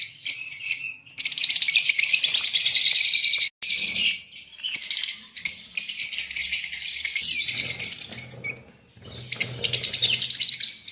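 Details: In Pakistan, a green Fischer's lovebird pair at breeding time sings in long bursts of sharp, fast twittering, broken by short pauses and an abrupt silence midway.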